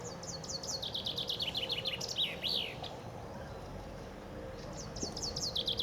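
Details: Several common chaffinches sing in spring along the Ob River outside Novosibirsk in Siberia; a bright, falling run of rapid repeated notes closes with a flourish, and another strophe begins near the end.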